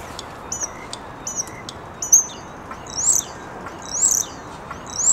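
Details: Starling serenade during courtship under a bench, recorded with a camera-top microphone: bright, high whistled notes, some rising and warbled, coming roughly once a second and growing louder, with faint soft clicks between them.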